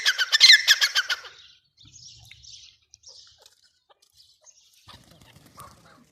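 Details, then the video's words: Teetar, the grey francolin: a quick burst of around ten loud, grating notes in the first second, fading into near silence with faint scattered chirps. "gray francolin teetar sound"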